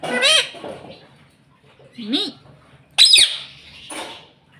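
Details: Pet green ringneck parrot saying "mummy" three times, each a short, nasal, two-part harmonic word with quiet pauses between.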